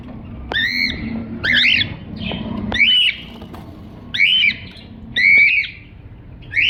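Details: Cockatiel calling in repeated bursts of raspy, down-curving chirps, each roughly a quarter second long, coming about once a second with brief quiet gaps between them over a soft background hum.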